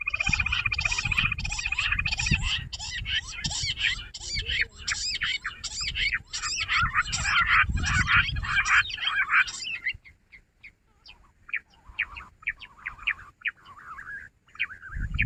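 Jungle bush quail calling in a busy, squeaky chatter of rapid harsh notes over rumbling background noise; the chorus thins after ten seconds into scattered short calls.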